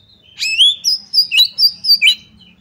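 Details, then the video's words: Oriental magpie-robin song aimed at provoking another bird to fight: a short run of about six loud, clear whistled notes, some rising and some falling, with a faint low hum behind. "pancingan kacer tarung cari lawan"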